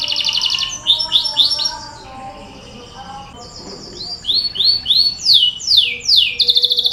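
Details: Canary song used as a lure to prompt other canaries to start singing: fast, high rolling trills and rapidly repeated slurred notes in dense runs. A brief softer stretch midway is followed by a burst of sweeping rolls over a low background hum.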